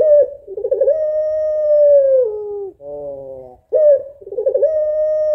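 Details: A female puter pelung African collared dove calls the male with a long, pulsing then steady coo falling at its end, a nasal harmonic note, and a second vibrating coo held level.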